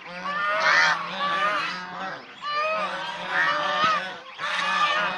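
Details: Domestic swan geese (Chinese swan goose) honking in distinct bouts: loud trumpeting volleys of overlapping calls, each about two seconds long, separated by short near-silent gaps, with a brief knock in one bout.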